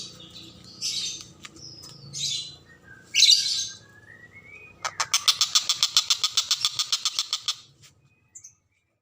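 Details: Common cicadabird song meant as a tutor for lovebirds: a few scratchy chirps and a thin descending whistle, then a burst of fast, harsh, buzzy notes repeated about three times a second for nearly three seconds.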